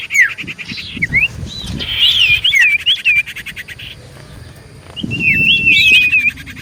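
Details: Common iora song used as a lure to draw replies: sharp downslurred whistles, then wavy looping phrases, a pause, and a closing run of trilled whistles.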